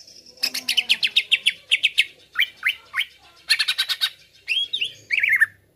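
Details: Varied greater green leafbird song for masteran or pancingan: bursts of rapid buzzy notes, three separate down-slurred whistles, another fast buzzy burst, then a wavering rising-falling phrase to finish.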